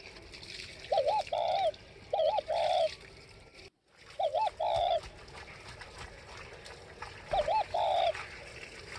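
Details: Repeated paired coos from a northwest Vietnam spotted dove, a quavering first note then a fuller second, given in quick pairs over constant hiss and faint background chirps, with a brief dropout midway.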